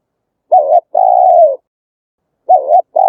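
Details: Spotted dove song meant to attract wild doves for trapping and training; a short wavering coo then a long level note, pause, and the pair begins again.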